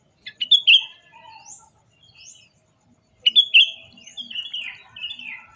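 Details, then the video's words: Birds singing in the morning: two bright bursts of sharp chirps and slurred whistled notes, each followed by softer twittering, over an otherwise quiet background. "Burung Berkicau Di Pagi Hari"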